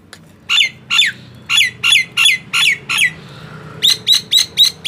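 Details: Captive Nias hill myna whose song is played to prompt silent mynas to start singing: loud harsh squawking notes repeated about every third of a second, a short pause, then a quicker run of five sharp notes.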